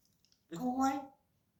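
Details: A pet grey parrot (Psittacus erithacus) singing indoors in a quiet room: one drawn-out, rich, humanlike note lasting under a second, swelling then fading.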